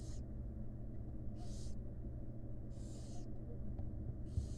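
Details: Wild barn owl chicks in a monitored nest box begging while their mother feeds them: harsh, broadband hissing snores repeated about every 1.3 seconds over a steady low rumble.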